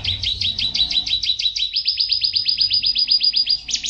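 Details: Contest-champion canary, a caged pet bird, singing fast rapid trills of buzzy repeated notes high in pitch, switching to a steadier, even higher trill midway, about two notes per second-beat, ending in a sharp new phrase.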